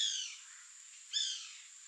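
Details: Bananaquit (Coereba flaveola) song: two thin, high, buzzy bursts about a second apart, each a quick wheezy tumble of notes sliding downward, over a steady high hiss.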